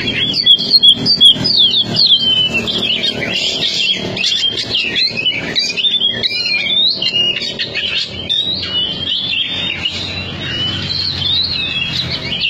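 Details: Oriental magpie-robin (kacer), a prize-winning competition bird from Cianjur, delivering a rapid, sustained song of sharp whistled phrases and trills, notes tumbling quickly with little pause, over a faint low hum.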